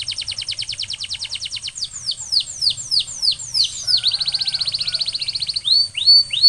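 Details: Song of a canary used as a trigger for other canaries: a rapid ticking trill, then a run of falling whistled swoops, a steady fast roll, and a last pair of descending notes.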